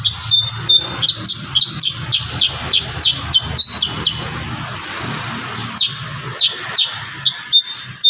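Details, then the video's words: Kurincang singing vigorously with varied fill notes, used as tutor audio for training young kurincang: rapid series of sharp high chirps and short whistles, some sliding downward, repeated several times a second, over a low background hum. "burung kurincang gacor isian"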